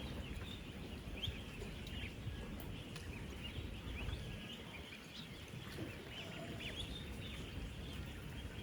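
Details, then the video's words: Thousands of 10-day-old ducklings on a real duck farm, moving about, eating and drinking, make a dense chorus of high, thin peeps that overlap constantly above a steady low rumble of farm noise. "16,000 Ducklings Making AMAZING Sounds!"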